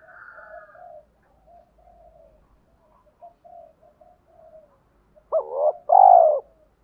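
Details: Spotted dove decoy luring wild birds: several seconds of gentle, broken low cooing, then near the end a sudden strong rising note and a long full-throated coo.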